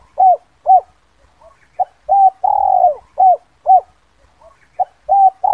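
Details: Spotted dove (terkukur) kuk 2 luring call for attracting wild birds: a quick run of paired short coos, a long drawn falling coo, then more short coos, hoarse and mid-pitched.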